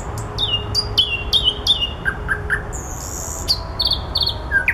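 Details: Common nightingale in flowers delivering repeated downslurred whistles, each dropping in pitch, followed by lower paired notes and a high buzzy phrase with quick ticking accents; faint low hum behind.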